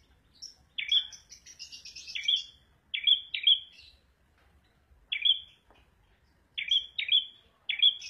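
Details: Red prenjak song opening with a rapid jumble of high chips, then bright whistled notes with sharp starts and flat tails, delivered singly and in close pairs.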